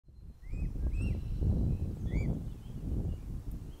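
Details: Mute swan cygnet beside its father in Plymouth, Massachusetts, on 21 June 2020, calling out for its mother and siblings who had moved out of range: thin upslurred whistled peeps, several in a few seconds, over heavy low rumbling noise.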